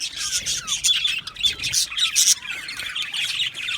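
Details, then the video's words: Australian budgie colony in an aviary: bursts of bright, high twittering and squawky chirps from several birds, swelling and dipping in loudness every half second or so. "Beautiful Budgies chirping sounds"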